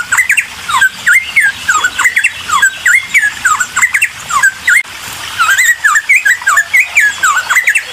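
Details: Bulbul song meant as a lure for other birds: fast chattering bursts of sharp rising and falling whistles, delivered in dense clusters with a brief break midway before resuming equally busy.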